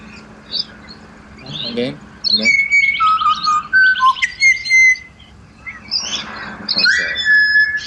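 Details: After a quiet, scratchy start, pied butcherbirds in Australia launch into clear whistled notes at shifting pitches, each carrying a faint raspy overtone, strung into a lively serenade with brief gaps.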